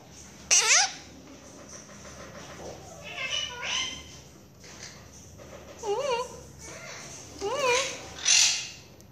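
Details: Pet Quaker parakeet calling for its owner, 'mommy', indoors: wavering, harmonic, meow-like calls that bend up and down, in bursts around half a second and every two seconds, with household speech between.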